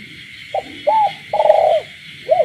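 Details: Night-time coo of a caged spotted dove in the countryside: a short opening note, a smooth arched coo, and a long grating trill-like coo, against a dense background chorus of frogs.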